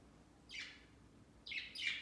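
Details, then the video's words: Pet budgies flocking on a Christmas tree beside the bird cage on Christmas Day, their first; three quick, bright, buzzy chirps, one alone and then a close pair, over a low steady hum. "Budgies Flocking on A Christmas Tree 圣诞树上的小鹦鹉"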